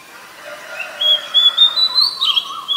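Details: Brief snippet of a wild Oriental magpie-robin singing: a long clear high whistle and short pulsing notes that slide and warble.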